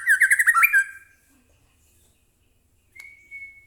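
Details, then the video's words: Captive white-rumped shama, singing as a lure to set off other shamas. A quick, bubbling series of looping whistles is followed by silence and then a single long, steady, pure whistle. "murai batu gacor AMPUH buat pancingan murai batu agar bunyi JADIKAN burung murai gacor EMOSI NYAUT"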